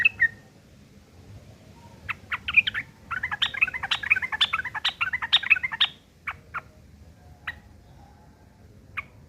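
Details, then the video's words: Rough ngeriwik kasar chatter of a sooty-headed bulbul, used as tutor material for long-tailed shrikes: an opening chip, then a dense rapid volley of harsh and whistled notes lasting about three seconds, followed by sparse single chips. "trucuk ngeriwik kasar isian burung CENDET"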